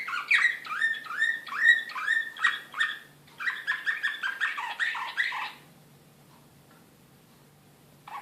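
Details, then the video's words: Singing of an excited canary of the Serbian slavujar song style, Belgrade, 2016. Evenly paced tours of bright downward-sweeping notes repeat about twice a second for five seconds, then the bird falls silent before a brief restart. "كناري هائج"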